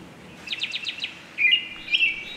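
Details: An American Robin gives a whinny, a descending squeaky call used in ambiguous social situations: five quick, squeaky descending notes in half a second, then a couple of longer high, thin notes.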